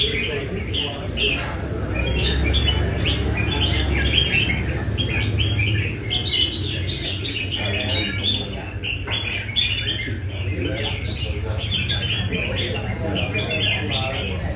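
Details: At a Da Nang cafe in Vietnam, a Nam Đông red-whiskered bulbul practises; continuous chattering warbles and clear whistles among many birds, with steady low rumble and distant voices.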